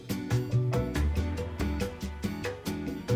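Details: Upbeat instrumental music with plucked guitar-like notes and a regular beat, and no animal calls.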